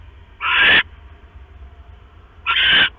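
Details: Night-time owl at a nest, male arriving with a rat for the female incubating eggs; two drawn-out raspy screeches two seconds apart over a faint low hum.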